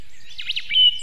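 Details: Osprey at its nest in Võrumaa, South Estonia, 2022, near a river and a fish farm: a quick run of thin chirps sweeping up and down, closing with a short level whistle.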